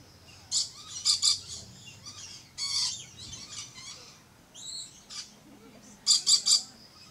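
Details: Red-collared lorikeet kept at a Florida safari park gives harsh, high screeching calls in quick clusters of two to three notes, with a buzzy rasp and short upslurred squeaks between, over a quiet low background.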